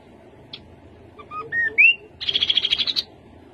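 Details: Rufous-capped babbler song: a few soft short notes, then clear whistles climbing to a rising slur, ending in a fast, even trill of about a dozen high pulses held at one pitch.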